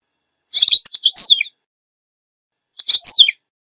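A goldfinch gives two bursts of high, tinkling twitters, each about a second long and rich in quick liquid notes, against a silent background.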